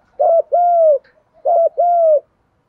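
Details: Spotted dove trapping decoy in the 'thổ pha' coo style gives two close phrases. Each is a short rough double note, then a long smooth coo easing downward. The coos are loud and clear against silence.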